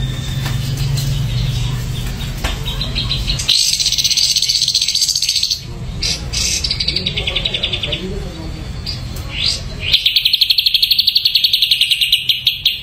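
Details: Ashy drongo singing: rapid high chattering trills and buzzy rattles, broken by short pauses, over a steady low hum in the background.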